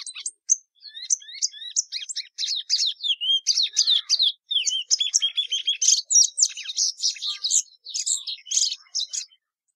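A Plumbeous Seedeater sings a long, fast, unbroken run of varied high chirps, slurred whistles and short trills for about ten seconds, with no other sounds.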